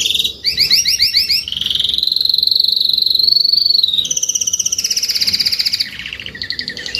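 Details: Adult Spanish-breed canary singing: a quick series of sharp repeated notes, then a long, smooth, rolling trill that rises slightly, followed by a higher pulsed trill and short metallic notes at the end.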